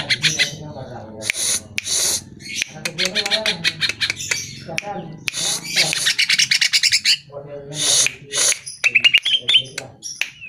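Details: Cucak ijo, the greater green leafbird, singing as a lure to get caged birds to reply: loud chattering phrases of harsh rasping notes mixed with quick high chirps, ending in a run of rising whistled notes.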